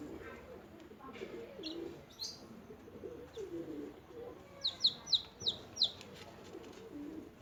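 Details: Small newborn chickens, newly hatched, chirping while feeding and playing: a steady low murmur, then a quick series of five sharp, high, downward-sliding peeps near the end.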